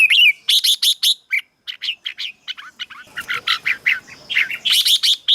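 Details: Red-whiskered bulbul sound meant to stimulate caged birds: a fast run of sharp chattering chirps and short whistles, tumbling in quick series, with a faint low rustle in the middle.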